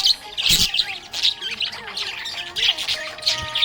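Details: Budgerigar described as happy, chattering in quick, harsh, squawky bursts of high-pitched notes, with brief pauses between clusters. A faint steady hum sits below.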